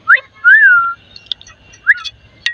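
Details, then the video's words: Pet talking parrot; a short sharp upslurred whistle, then a longer arched whistle sliding down, a pause, another quick upslur, and faint clicks and knocks in a quiet indoor room. "মিঠু পাখি অনেক সুন্দর সুন্দর কথা বলতে পারে,, মানুষের মতো কথা বলা পাখি"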